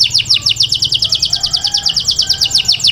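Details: Canary taghreed song for training chicks, a rapid even series of high downslurred chirps sustained throughout.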